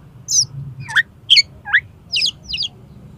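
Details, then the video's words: Oriental magpie-robin, recorded as a tutor and lure for contest birds. Six short, separate phrases of rising, slurred and buzzy notes about every half second, over a low background hum. "SUARA KACER INI COCOK UNTUK MASTERAN DAN PANCINGAN KACER LOMBA AGAR MAU BUKA PARUH"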